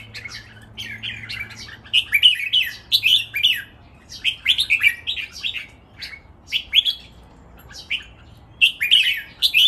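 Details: Caged red-whiskered bulbuls, three birds, sing a lively training master song, counted by phrases: many short, bright, whistled and warbled phrases repeated steadily with brief pauses throughout.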